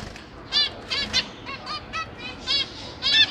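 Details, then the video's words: A zebra finch family in a cage, with parents feeding juveniles and newly fledged chicks, gives short, nasal, buzzy calls, several in quick succession about every half second, over a faint hiss. "Zebra Finch"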